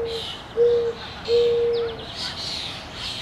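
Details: Dove in its natural habitat at Petrie Island, Ottawa, Canada; low, steady hooting coos, a brief one followed by a longer drawn-out note, with faint higher chirps and a soft hiss in the background.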